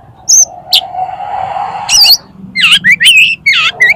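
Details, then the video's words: Song of an Oriental magpie-robin, meant for tutoring and provoking competition birds: a high whistle and scratchy note, a steady low hum, then a rapid string of bright, looping, slurred whistles. "SUARA KACER INI COCOK UNTUK MASTERAN DAN PANCINGAN KACER LOMBA AGAR MAU BUKA PARUH"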